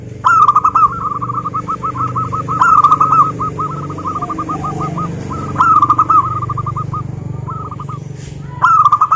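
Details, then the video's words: A chorus of local zebra doves, with long rolling runs of evenly spaced hooked coo notes from distant birds. Louder phrases from a close bird break in about every two to three seconds over a low background hum. "suara burung perkutut, GURU VOCAL JITU atasi kutut lokal gacor untuk pancingan perkutut agar bunyi"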